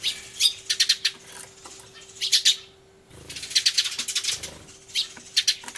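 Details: Sparrows making a loud commotion, 24 March 2013, Everio recording with a turtledove present: clusters of three or four quick harsh chirps separated by short pauses, a near-silent break midway, then another busy burst of chatter.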